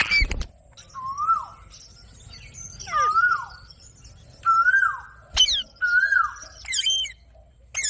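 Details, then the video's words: A talking ring-necked parakeet gives a clear whistled note that rises then falls, repeated about once a second, with sharp clicks and higher squeaks in between. "Parrot Talking video | Parrot Natural sound | Ringneck Talking"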